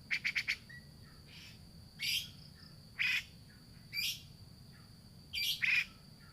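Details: Grey-cheeked bulbul lure recording, used to prompt a bird that has stopped singing: a quick run of four sharp chirps, then harsh, squawky bursts roughly once a second, with a steady high tone underneath.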